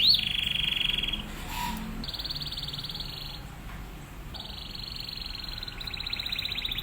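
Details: Atlantic canary singing vigorously as a master song for training other canaries, with rapid-fire phrases: fast buzzy trilled rolls at high pitch, held about a second each, broken by short pauses, over steady low background hiss.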